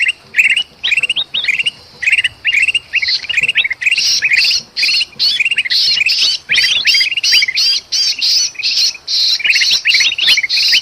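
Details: Excited kutilang emas bulbul with a squeezed, trapped companion, recorded in Sumatra for luring birds: sparse bouncy chirp phrases at first, then dense back-to-back harsh squawks mixed with quick chatter.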